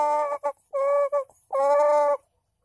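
A rooster crows in four hoarse, strained parts: two short notes, a longer middle phrase, then a drawn-out final note, with nothing else heard.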